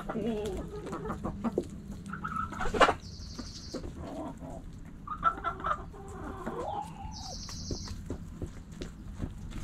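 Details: Hens and roosters kept in a backyard, pecking and scratching; intermittent soft clucks and a few longer drawn calls spread over the recording, with clicks and rustling and a steady low rumble.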